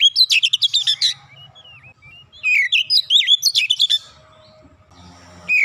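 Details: Oriental magpie-robin belting close-set 'nembak rapat' phrases as training audio for untrained kacer: crackling rapid notes give way to sliding whistles, then a quieter stretch and one more whistle.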